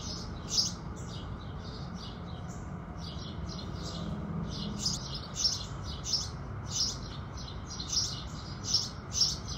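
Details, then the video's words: House sparrows singing at sunrise in the morning: a steady series of bright, sharp chirps, roughly two to three each second, some louder than others, over a soft, constant low background rumble. "Sparrows Singing"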